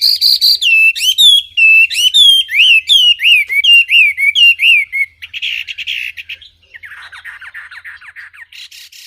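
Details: Wambi pours out a rapid run of descending whistled notes, followed by scratchy buzzy chatter and softer raspy trills.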